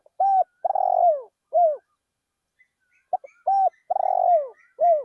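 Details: Spotted dove decoy calling in a paddy field: two quick cooing phrases, each a short hoot, a longer vibrating coo sliding downward and a closing drooping note, separated by a brief pause.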